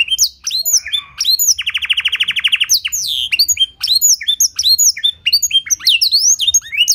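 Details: Blackthroat-filled canary with a clear voice, used as a lure to set other canaries singing: a quick whistled opening, a long rapid trill, then a steady stream of upswept chirps.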